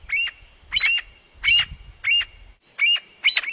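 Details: Partridges calling back and forth, six rasping, squeaky notes spaced about half a second apart, each a brief harsh burst with a rising twist, with soft low background rumble.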